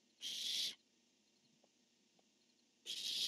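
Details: Two harsh hissing screeches about two seconds apart from barn owls, a male calling and a female answering on 10-1-15; each half a second of rough, wide shriek, with a few faint clicks in between.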